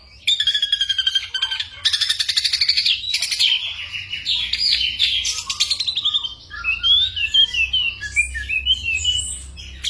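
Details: Ashy drongo singing a mix of imitated bird calls and gunshot-like sounds, meant for tutoring songbirds: loud rapid chattering trills at first, then softer scattered whistled and rising chirps toward the end.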